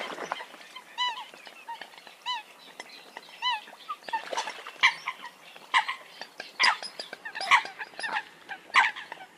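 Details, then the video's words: Eurasian coot giving short, clipped harmonic notes in quick pairs, followed by louder, harsher overlapping calls and scattered clicks. "tiếng sâm cầm"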